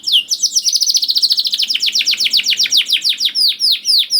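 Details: A canary delivers a long, fast series of descending whistled notes, slowing into separate swooping phrases, meant to get young canaries singing.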